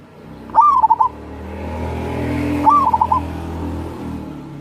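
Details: Zebra dove song, a local wild crossing bird, used to coax lazy doves to sing: two soft phrases about two seconds apart, each opening with an upslurred coo then a rapid stutter of four short notes, over low hum.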